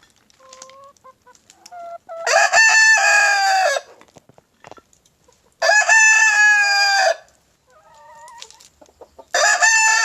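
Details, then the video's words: Leghorn rooster crowing three times, each a loud raspy crow of about one and a half seconds, with soft clucks and higher calls between. "Ayam Leghorn BERKOKOK"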